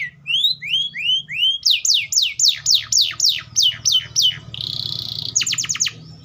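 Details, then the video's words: Atlantic canary singing in rapid tours: rising whistled slurs repeated about four times, then a run of steep downward-sweeping notes, a brief buzzy trill, and a fast burst of clipped notes to finish, with a faint low hum beneath. "THE SOUND OF THE CANARIA SERINUS ORIGINAL SOUND LIKE IN THE WILD"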